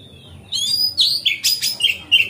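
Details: An Oriental magpie-robin's relaxed full song, used as a lure to make other magpie-robins spread their tails: a rapid string of clear, high whistles and sharp chattering notes, phrases sliding up and down without pause.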